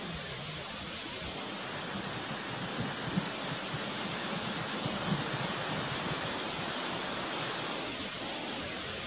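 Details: Continuous rushing noise like flowing water or wind covers the whole recording evenly, with only tiny scattered ticks and no animal call.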